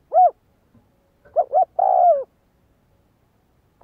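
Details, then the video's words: Spotted dove used to train decoy birds, giving an arched single coo, then two quick short notes and a long falling coo, with a final note cut off at the end. "Tiếng Chim cu gáy Luyện mồi tập bổi chuẩn"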